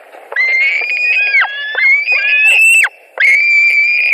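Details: White-tailed eagles at a nest in Latvia, 2 August 2020, screaming over a delivered carp during fights; sustained, thin, faintly rising whistled wails, one after another, with a short silence before the last.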